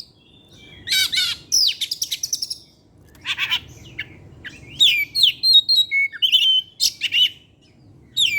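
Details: Kept Oriental magpie-robin (kacer) singing eagerly in the evening, showing varied material: chattering trills and scratchy bursts, then a lively string of clear whistles and slurred notes at a high pitch.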